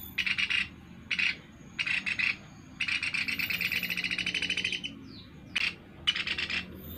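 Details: Sunda pygmy woodpecker call for luring: short, sharp rattling bursts, a longer even trill in the middle, then more brief chattering bursts.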